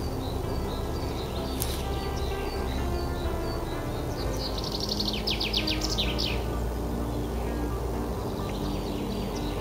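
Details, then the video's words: Early-spring song of a common chaffinch, among the first of the season: a single fast phrase of sharp notes tumbling downward and ending in a flourish, after a few scattered chips. Constant low hum underneath. "Песни зябликов"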